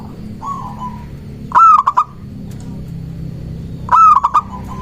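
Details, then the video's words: Local zebra dove calling, used to lure doves and draw rival responses: a soft trilled coo, then two loud stuttering bursts of three or four clipped notes spaced about two and a half seconds apart, over a low hum. "Perkutut lokal gacor mengundang lawan bunyi"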